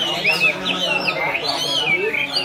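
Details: Hwamei, just through its moult and singing all day long, delivering looping, rising and falling clear whistles in quick succession while people chat nearby.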